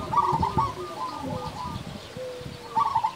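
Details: Zebra doves of a local strain, singing boldly: trilled cooing opens and closes the phrase, with long level coos and soft low thumping noise between.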